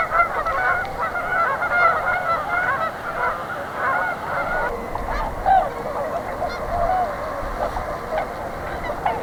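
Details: A flock of Tundra Swans on spring migration pauses near Pinery Provincial Park, Ontario. Thick, overlapping honking hoots fill the first half, then thin out into scattered calls over a steady background hiss.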